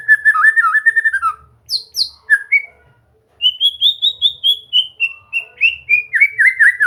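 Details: For training a bird to sing: a white-rumped shama gives a fast warbling phrase, two very high thin notes, a gap, then a steady run of rising-falling whistles that descend gradually in pitch.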